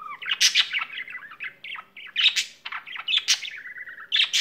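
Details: Budgerigar kept as a pet warbling nonstop: opens with a low rising whistle, then dense chirps, buzzy clicks and squeaky notes, louder peaks near 0.5, 2.3 and 3.3 seconds.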